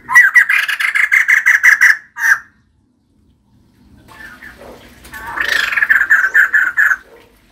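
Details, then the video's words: Female white-crested laughingthrush, a caged bird described as gacor (singing persistently): rapid harsh chattering notes repeated about three per second in a two-second burst, a pause, then a soft rising buildup into another long run of loud rhythmic chatter. "Poksay jambul putih betina gacor"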